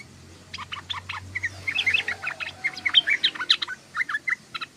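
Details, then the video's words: Sooty-headed bulbul, called trucukan, chattering ngoceh and ngeriwik: dense, rapid bursts of short sharp notes rising and falling over about four seconds, with a low hum beneath. "SUARA BURUNG TRUCUKAN❗❗❗TRUCUKAN NGOCEH❗❗❗TRUCUKAN NGERIWIK❗❗❗"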